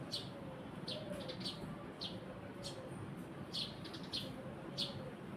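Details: Eurasian tree sparrow giving bright, brief chirps, some in quick pairs, spaced irregularly over a constant low hum of ambient noise.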